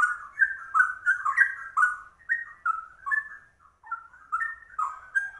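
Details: Trucuk, a rare yellow-vented bulbul, pouring out ropel song modelled on the straw-headed bulbul: dense rippling whistles at first, then slower, separate sliding notes after a short lull.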